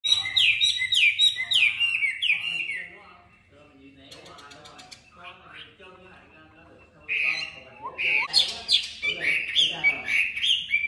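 Chinese hwamei singing loud, clear whistled phrases of quickly repeated notes, breaking off for a few quiet seconds before resuming with rich, varied whistles.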